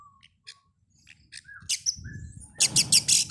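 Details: Oriental magpie-robin lure meant to make birds sing before a contest: soft scattered notes and short whistles build into a series of four loud, harsh, rasping bursts at the end.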